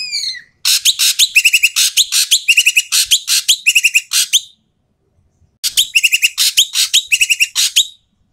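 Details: Noisy Asian pied starling giving loud, harsh calls meant to prompt quiet starlings to sing: a falling whistled note, then two bursts of rapid grating chatter with buzzy notes, separated by a second of silence.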